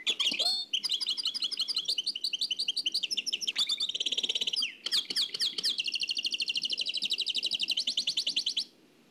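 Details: Old cassette transfer of a nightingale singing in the Oued El Alaiq manner: almost continuous pulsing trills, a brief loud rattle mid-way, then a long steady run of rapid repeated high notes.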